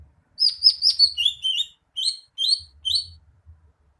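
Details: Greater green leafbird singing a lively run of sharp, high chirps and slurred whistles. A fast cluster is followed by a brief pause, then three spaced, downward-sliding notes. There is faint low thumping in the background.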